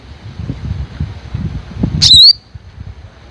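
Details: A Black sunbird gives one thin, high, wavering note lasting about a quarter second, with low wind rumble in the background.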